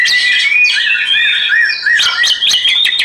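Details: Oriental magpie-robin in a therapy recording: sweet looping whistles, several down-curved notes repeated in sequence, then sharp high chips, with flowing water audible throughout.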